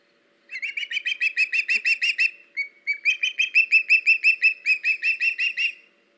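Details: Osprey calling at a nest on 21 August 2019 while the male delivers a fish to the female; two bursts of fast, high, whistled chirps, nearly thirty in all, separated by a brief pause and a few softer notes.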